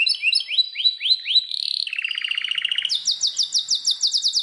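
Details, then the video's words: Belgian canary singing a row of rising upswept notes, then a dense buzzy rattle, then a rapid trill of sharp high syllables. "O canto canário mais espetacular #85 - OUÇA ISSO e seu CANÁRIO BELGA VAI CANTAR MUITO!"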